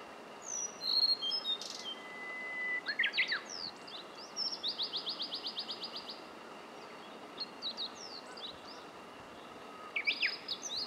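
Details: Blue-and-white flycatcher singing at Mt. Rokko, Kobe, Japan: clear high whistled phrases with sharp upslurred notes and a fast even trill lasting about two seconds, over steady background hiss.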